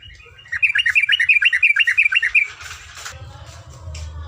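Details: Yellow-vented bulbul singing long ropelan in a tutor recording: a loud, rapid string of about fourteen evenly repeated bright notes lasting two seconds, followed by softer rustling and low hum.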